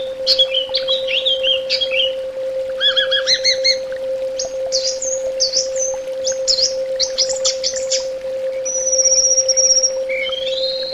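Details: Long varied song of an orange-headed thrush: whistled slurs, a rapid stuttering series, clipped high notes, then a drawn-out thin high whistle and rising note, over a constant hum.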